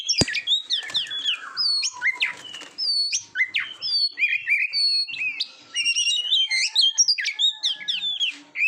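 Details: Oriental magpie-robin singing on a training recording for contest birds, with one long descending whistle early on, then a dense run of quick sliding whistles, clicks and high chipped notes.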